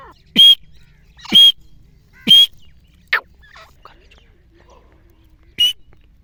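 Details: Grey francolin calling, described as the hunting call: three piercing shrill notes about a second apart, a short gap with faint chirps, then one more loud note.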